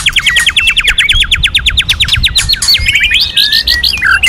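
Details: White-rumped shama training song, many voices, including a female singing to stimulate males. A rapid run of loud, repeated upsweeping notes gives way to clear slurred whistles and a final dropping note, with faint low rumble beneath.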